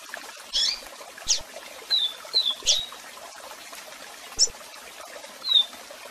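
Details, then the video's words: Double-collared seedeater, strong song and calls for song training. Scattered sharp chips and short downslurred whistles spaced about a second apart, set against a continuous waterfall rush. "Cantão Forte e Diferente Com Piados e Som De Cascata"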